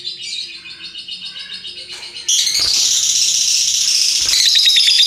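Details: Lovebird in energetic ngekek song: soft rapid pulsed chattering for about two seconds, then a loud, continuous, buzzy, rasping trill that runs unbroken to the end, steady hum underneath.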